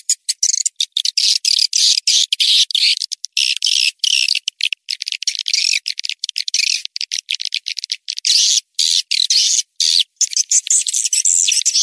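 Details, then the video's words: Lure call meant to bring swiftlets: continuous rattling, high-pitched chatter of tightly packed clicks and buzzy twitters, hardly pausing for nearly twelve seconds. "SUARA PANGGIL WALET"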